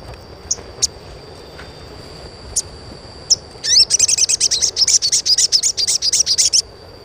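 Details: Sogon (crimson sunbird) chirping, used as a therapy sound to stimulate young birds to become vocal: a few scattered high, thin chirps, then a fast burst of sharp, very high ticking chirps, about two per second, over a faint steady hiss.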